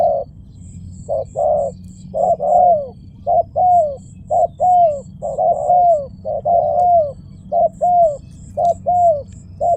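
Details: Steady, fairly regular low cooing of a spotted dove, repeated about once a second with drawn-out falling coos, accompanied by a low hum and faint high clicks.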